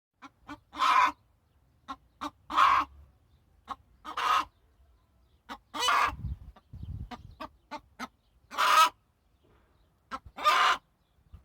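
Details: Hen giving loud, harsh clucks in uneven bursts, roughly one every one to two seconds, some doubled, with softer low rustling between calls.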